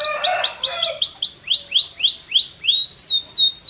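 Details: Canary repeating arched whistled notes at a quick, even pace, first very rapid then slower and broader, closing with a few sharp downward slurs.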